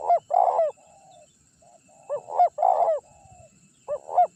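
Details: Champion Spotted dove cooing, used as a lure to bring wild birds in to attack; three hoarse phrases, each of quick paired coos followed by a longer vibrating coo and a soft tail note, steady high hum behind.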